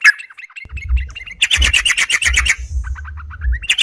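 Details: Yellow-vented bulbul calling to challenge a rival, used as a lure; a string of short chirps gives way to a burst of rapid harsh chatter, then softer chirps, over low knocking thumps.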